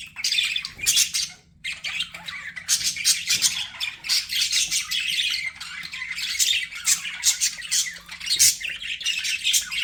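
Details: Pet budgies squawk and chirp almost nonstop, harsh rasping notes in quick runs, with one short pause early on before the flock chatter resumes.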